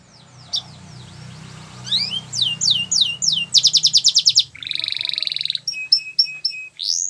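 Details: Belgian canary in song over a low background hum: quick down-slurred whistles, a rapid rattling trill, a buzzy churr, then clipped repeated high notes and a final upward sweep.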